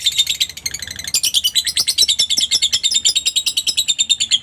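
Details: Lovebird song played to stir silent lovebirds into answering: a fast, high-pitched chattering trill that grows louder and denser after the first second, with faint tapping in the background.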